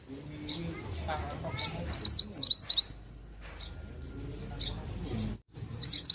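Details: Loud, busy pied bushchat song made of a run of sharp, high, swooping chirps, then scattered thinner notes, and a short new burst at the end.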